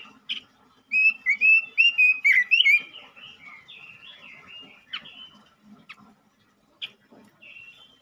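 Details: Male robin singing vigorously, meant to provoke other robins: a brief sharp note, then a fast chain of bright whistled and warbled phrases, fading to softer twitters and a few isolated sharp chips.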